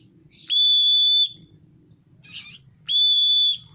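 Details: Oriental magpie-robin in full song, tail fanned: a long flat pure whistle, a short rough scratchy note, then a second identical drawn-out whistle over soft low rumbling.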